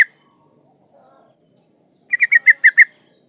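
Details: Female yellow-vented bulbul in breeding condition calling a male; mostly quiet, then a burst of six rapid, slightly descending chattering notes near the end.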